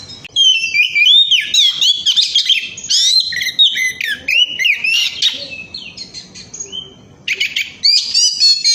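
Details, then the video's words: Oriental magpie-robin song meant to draw other birds into singing: dense, energetic run of rising and falling whistles, trills and scratchy notes almost without pause, easing briefly before a final bright burst. "kacer gacor ngemplong"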